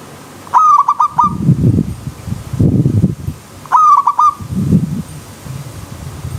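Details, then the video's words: Zebra dove song over a wild river stream, made to train elite birds. Two crisp stuttering coo phrases of quick, evenly spaced notes stand out above low, rumbling bursts of background noise. "Terapi Perkutut Alam Liar"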